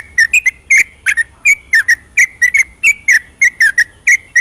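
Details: Night-time 'ropelan' song of a yellow-vented bulbul, used to stimulate silent birds: dense run of sharp whistled notes, often in twos or threes, delivered rapidly without pause.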